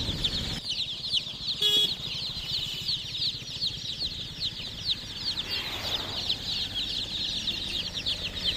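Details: Many chicken chicks chirping together, a dense, continuous chorus of short, high, downward-sliding peeps with no pauses, over a low mechanical hum and a brief clicking burst near the start.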